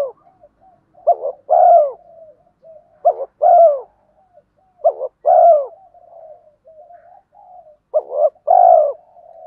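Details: Spotted dove male and female prodding coos meant to excite training birds: four deep phrases roughly every two seconds, each two brief notes then a long descending coo, quiet murmurs between.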